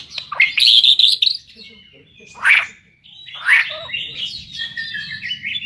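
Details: White-rumped shama, a fighter-class songbird, giving loud whistled phrases broken by short pauses, with harsh chirps and a long ringing trill near the end over a low background hum.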